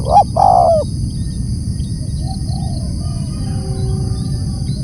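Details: A single loud spotted dove phrase opens: quick double note, then a long falling coo. Quiet soft notes and a low rumble follow.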